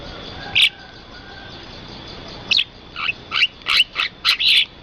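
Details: Bird sounds from rice fields: one loud chirp, a two-second lull, then a quickening series of sharp, bright chirps about two per second.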